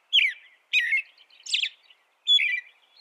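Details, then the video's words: An American robin gives a run of four caroling phrases, each a slurred whistle falling in pitch with a fainter tail, spaced by short silences. "American Robin Bird Sound, Bird Song"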